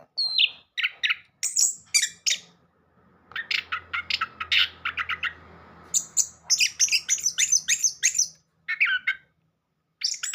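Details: {'caption': 'Orange-headed thrush song as a lure for a mute bird: bursts of high chirps and whistles separated by pauses, with a soft low hum and noise in the middle section.'}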